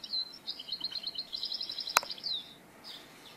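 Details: European goldfinch singing at a trapping site outdoors: a rapid stream of high, tinkling twitters and trilled notes over steady background hiss, broken by one sharp click, fading after two and a half seconds.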